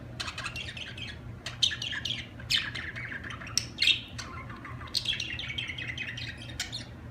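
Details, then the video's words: Lively budgerigar chattering: a continuous stream of squeaky chirps, clicks and warbled trills, with louder sharp notes scattered throughout. "اجمل تغريد في العالم طيور الحب البادجي"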